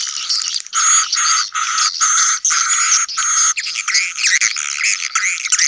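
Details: Swiftlet colony calls in the sedot anakan style for new buildings: loud buzzy bursts about half a second long separated by short pauses, high whistled streaks on top, then looser mixed twittering chirps.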